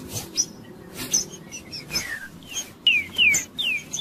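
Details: Trinca-ferro, the green-winged saltator, singing the Judas style meant to warm up a cold bird: scattered high chirps at first, then a quick series of bright, steeply falling whistles near the end.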